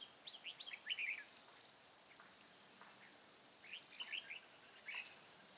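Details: Decoy red-whiskered bulbul in Hòa Bình mountain forest during trapping, 5 February 2017, gives two bursts of rapid, chirpy, slurred whistles separated by a pause, over steady insect buzzing.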